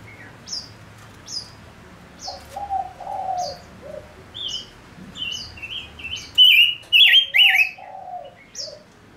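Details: Male lure bird used to attract wild birds: a slow series of thin high flicks and low warbled phrases builds into loud, rising whistled notes repeated about twice a second.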